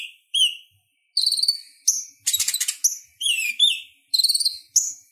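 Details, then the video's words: Purple-throated sunbird, local name konin, in sharp, high chattering song used to train kolibri ninja: slurred downward whistles, fast stuttered note strings and a harsh buzzy rattle in the middle. "Suara Ocehan Konin Gacor Tajam Ampuh Buat Masteran Kolibri Ninja"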